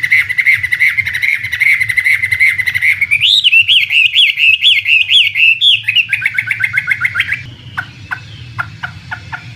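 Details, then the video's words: Song of a Chinese hwamei kept as a contest bird: a fast steady trill of short whistled notes, then looping rich warbles, a rapid chattering series, and finally a few sharp spaced clicks over low background hum. "Suara Burung Wambi (Chinese Hwamei)"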